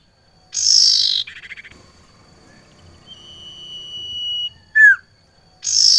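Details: Female barn owl calling to a male, which reacts restlessly on seeing her nearby, gives harsh hissing screeches near the start and end, with a thin steady whistle and a quick chirp between.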